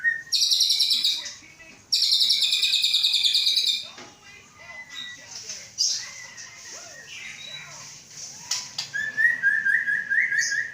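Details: Captive Aceh white-rumped shama bred from Samurai CBF stock, prepared for a breeding cage; two long high buzzy trills, softer varied notes, then a fast series of rising whistled notes.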